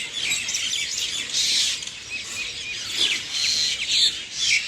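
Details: Chirping birds at dawn, a bright mass of high tweets with bursts of louder rapid twittering around the middle and end, otherwise a steady overlapping chorus.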